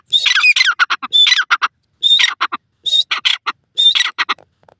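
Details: Black francolin, the Iranian teetar, kept at home, giving loud territorial calls: each phrase a clear whistled note followed by a burst of harsh, grating syllables, repeated about once a second with short silent gaps.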